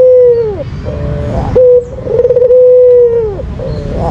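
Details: Drawn-out, steady coos from a white dove used as a lure call, each dropping downward at the close, with a short sharp coo between them and a soft tail note after.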